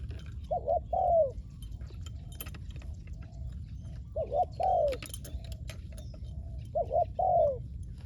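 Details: Decoy spotted dove luring wild doves from the ground, calling three coo phrases of a quick paired note followed by a long sliding coo, with a fainter second dove cooing between them and light jangling clicks.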